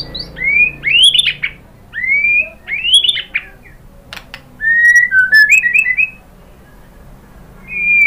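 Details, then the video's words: White-rumped shama song used to stimulate other birds to sing: clear whistled phrases, rising and falling slurs, with sharp clicks and brief pauses between bursts, ending in a single whistled note. "KICAUAN MURAI BATU merangsang BUNYI jadi NYAUT GACOR NGEPLONG BONGKAR ISIAN"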